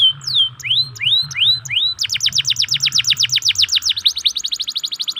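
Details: Local canary song played to stimulate canaries that sing little into answering: a few slow, high, rising whistled sweeps, then a fast, even trill of rapid rising notes, several per second, continuing to the end.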